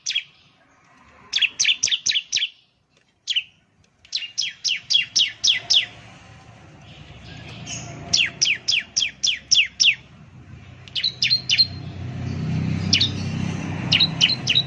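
Bar-winged Prinia singing loud bursts of five to seven sharp, high chipping notes in rapid series, with short pauses between bursts; a low rumble underneath later.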